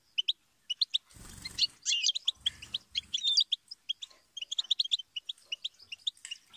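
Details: Goldfinch song: sharp, high chirps in quick succession building into tumbling twittered phrases, with brief low rumbling knocks near the start and middle.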